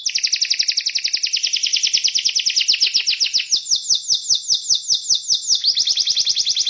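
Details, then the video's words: Canary singing a rhythmic song unlike other canaries: a fast rolling trill of rapid repeated high notes, about two and a half per second, shifting to broader swooping syllables midway, then back to quicker notes. "O som do Canário com uma voz rítmica diferente das outras"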